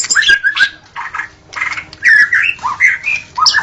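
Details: White-rumped shama singing vigorously in the forest: a short burst of harsh, squawky notes mixed with clear whistled slurs, broken by short pauses.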